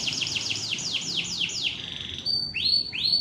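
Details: Canary in competition training singing a quick run of falling slurred notes, a short steady whistle, then two sharply rising swoops.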